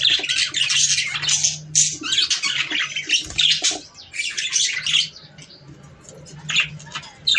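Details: Budgerigar chatter to stimulate breeding, loud bursts of squawking and twittering for the first five seconds, then sparse quieter chirps over a low steady hum.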